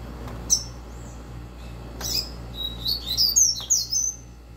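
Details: Captive double-collared seedeater (coleira) coming out of molt, singing the fast "tui tui zeu" song style: a few thin, high notes, then a quick burst of sharp, high whistled and twittering syllables over a steady low hum.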